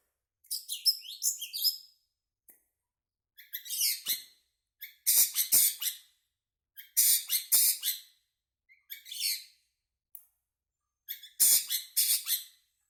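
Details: Long-tailed shrike, agitated at night, delivering harsh, high, scratchy song bursts of one to two seconds, repeated with pauses, some phrases sharp and grating, others thinner chirping notes.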